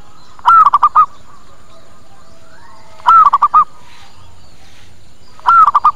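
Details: Repeated zebra dove lure call for attracting birds: three rolling coo phrases about every two and a half seconds, each a rising-falling note followed by four short bubbling notes.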